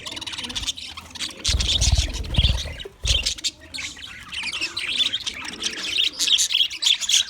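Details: Budgerigar of the English type, February 14, 2024: steady high twittering warble with small whistled notes, interrupted early by loud low rumbling thumps, then continuing as soft, busy chirping to the end.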